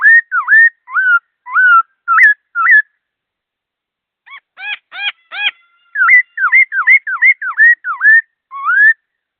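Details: Fast, clear-toned laughingthrush song: looping whistled notes in quick succession, a burst of harsh stacked notes, then a rapid run of dipping, hooked whistles about two per second.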